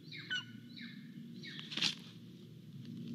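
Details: Impatient golden eagle chick begging for food at a nest in Estonia, 10 July 2022, nest camera recording. Three descending screechy whistles, then a short burst of noise, over a constant low hum.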